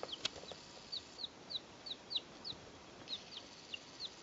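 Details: Three two-day-old chicks recorded in 2012, giving thin high peeps that fall in pitch, scattered every few tenths of a second over a steady hiss.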